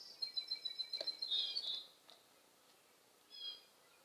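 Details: A very hungry young blue jay begging with quick, thin, high-pitched repeated notes that run together into a buzzy trill, then fall quiet before one short high call near the end.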